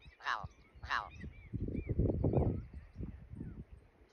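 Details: Family of ptarmigans at Denali National Park: two loud, harsh, rasping calls near the start, then low rustling and footstep-like thumps, with faint short chirps in the background.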